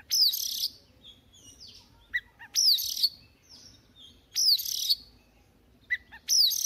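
An Oriental magpie-robin sings loud, clear whistled phrases with sharp rising notes, repeated about every two seconds over a quiet background.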